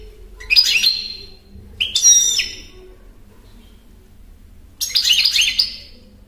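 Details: European goldfinch singing three bright twittering bursts, each a tight cluster of high, rapid, tinkling notes with a short buzzy edge, separated by pauses of about one and three seconds over a faint low hum.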